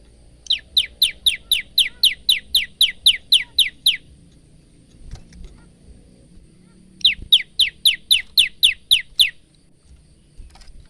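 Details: Phone-recorded male bar-winged prinia delivering two long bursts of sharp, high downslurred chips, about four per second, the first of about fifteen notes, the second of about nine, with faint background rumble.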